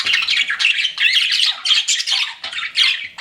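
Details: Flirting pet budgies give short rapid bursts of buzzy, rasping warble, roughly one phrase every half second, with thin whistled notes mixed into the chatter.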